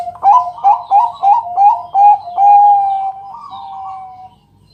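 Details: {'caption': "Bangkok zebra dove's night-time song, used to coax other doves into singing. Six loud, clipped coo notes come about every half second, then a long drawn note fades away. A faint hum runs under it."}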